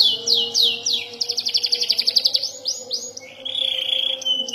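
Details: Young canary learning to roll and trill: a few sweeping slurred notes, a fast rolling series of high repeated syllables, then a steady buzzy whistled trill.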